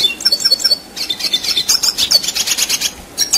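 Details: Red siskin singing at length in rolling style, with scratchy, rasping trills and twittering bursts that pour out in rapid pulses, pausing only briefly.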